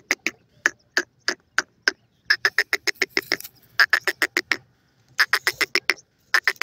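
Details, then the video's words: Francolin chicks calling: short, sharp, clicking notes in quick runs of several per second, with brief pauses between bursts. "pheasant baby awaaz, teetar ki boli"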